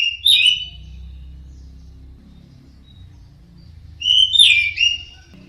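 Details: Teler-style song of an orange-headed thrush, two short bursts of twittering, slurred whistles separated by several seconds, over a steady low droning hum.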